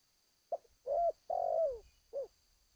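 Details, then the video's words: Zebra dove song of the Seladang Jati style: one phrase of a short clipped note, two long throaty rolling coos with a slight downward slide, and a closing shorter coo. A soft steady hum sits in the background. "Terkukur- Seladang Jati suara pehhh mantap"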